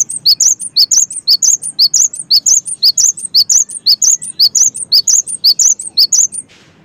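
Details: Gacor song of a cinereous tit: a long unbroken run of high, piercing two-part chirps repeated steadily about twice a second for over six seconds, ending abruptly, over a soft low hum.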